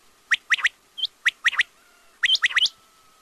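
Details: Quail (batair) sounding fast triplets of sharp whistled notes, with a single higher note between phrases, phrases about a second apart.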